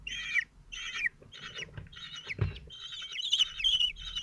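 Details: Falcons at a nest in Théding, France, on 27 June 2023: the male feeds his four 17-day-old chicks. Harsh, high squealing calls come in short bursts, repeated and overlapping toward the end, with faint low background rumble.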